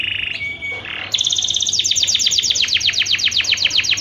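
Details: Canary singing as a lure meant to make other canaries sing and want to mate: a short steady whistled note, then a long fast rolling trill of repeated bright downward strokes.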